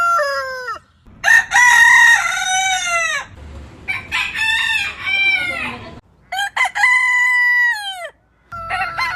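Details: Rooster crowing at morning: successive long, ringing crows, each rising at the start, held steady, then sliding down at the close. Soft low background noise fills the short gaps.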